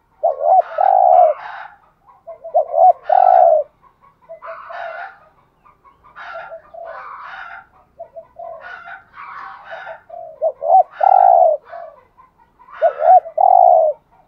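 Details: Lure spotted dove cooing in repeated phrases roughly every two seconds, each ending in a loud low coo, mixed with busy higher chattering and chirping notes between phrases.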